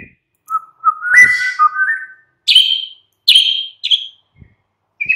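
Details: Murai batu (white-rumped shama) afternoon lure song: a few mellow low whistles sliding up and down, followed by three separate loud harsh rasping notes and a brief high whistle.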